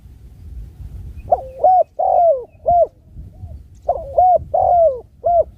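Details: Spotted dove cooing two matching phrases of four to five soft notes each. A clipped opening note leads to a longer, drawn-out falling coo, then a short final note. Low rumbling background noise.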